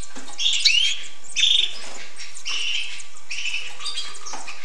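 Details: Hooded siskin song of rapid twittered phrases, each with a high buzzy trill, following one another about once a second amid soft chatter.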